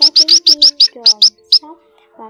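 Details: Calling munias, a mixed flock of both sexes, used as a trapping lure: a quick run of sharp high chirps, then sparse single notes fading out, with faint low humming tones beneath.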